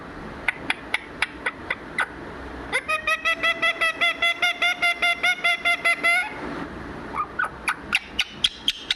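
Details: A parrot talks in evenly spaced sharp clicks that lead into a quick string of roughly fifteen rapid, bright, harmonic syllables, about two or three each second. Scattered clicks follow, over a low background murmur.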